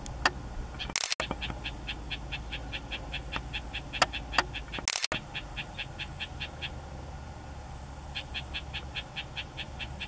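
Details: Isabelline shrike, also called rufous-tailed shrike (Lanius isabellinus), giving dry, harsh chattering notes, about four a second, in runs of several seconds, over low background rumble with a few sharp clicks; Isabelline shrike.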